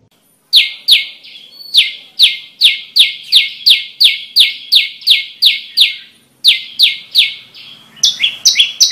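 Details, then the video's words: Prinia (prenjak lumut) singing, recorded as lure and training audio: rapid repeated sharp descending chirps in two long runs, ending with a quicker burst of higher double-toned notes. "Suara MP3 Burung Prenjak Lumut Yang Bagus Buat Isian dan Pikat"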